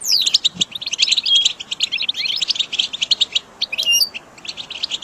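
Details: Goldfinch song used for teaching caged birds: a tumbling, rapid chatter of high chirps and buzzy trills with a few separate whistled notes, thinning out toward the end.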